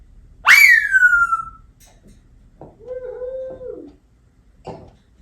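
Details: A pet African grey parrot, asked to sound a burglar alarm, gives a loud, shrill whistle that swoops up and then slides down, followed by a flatter, tonal hoot and brief clicks.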